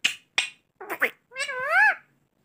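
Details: Talking parrot imitating the word "mummy". Two sharp clicks come first, then short voiced syllables and a longer rising and falling nasal tone. The surroundings are otherwise silent.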